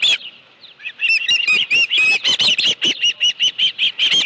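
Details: At the Dunrovin Ranch nest, an osprey with a live fish on 25 July 2018 at 5:23 PM starts with a few faint notes, then breaks into loud, piercing chirps repeated rapidly and evenly.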